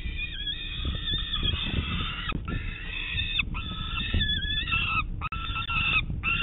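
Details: Peregrine falcon chick at a nest in Manchester, New Hampshire, on a morning in June 2019, begging its parents for breakfast: long, drawn-out wailing cries, harmonic and slightly wavering, given almost continuously with brief gaps, over steady low rumbling noise.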